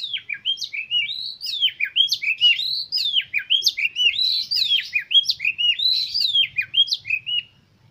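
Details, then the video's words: Lure song of an oriental magpie-robin (kacer), meant to stimulate other birds to sing and open their tails: a dense, lively string of quick whistled notes with sharp downward flicks and upward sweeps, repeated many times. It ends abruptly. "KACER KALIAN MAKIN NAPSU UNTUK BERKICAU DAN CEPAT GACOR BUKA EKOR"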